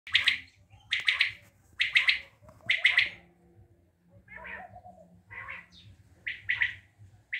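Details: Common quail from Tajikistan giving sharp three-part calls at a bright, high pitch, four loud phrases in quick succession followed by softer, hoarser ones, over a low steady hum.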